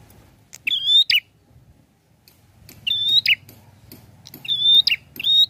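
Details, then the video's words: Prinia (prenjak kepala merah / prenjak klawu) sings short, clear, whistled phrases with a sharp upward flick, repeated about every two seconds over a low background hum. "SUARANYA PLONG ABISS..GACORR || PRENJAK KEPALA MERAH||PRENJAK KLAWU"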